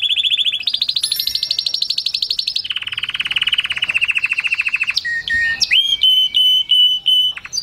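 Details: Strong canary song used to stimulate mating: fast trills at several pitch levels, a high rapid roll dropping to a lower buzzy trill, then clear whistled notes and short chirps.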